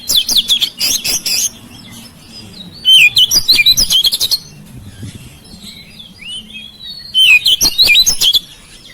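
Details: Oriental magpie-robin kept at home, its song used to prompt mute birds into singing: three loud bursts of rich whistles, scratchy notes and rapid trills, separated by pauses with soft distant whistles and a steady low hum.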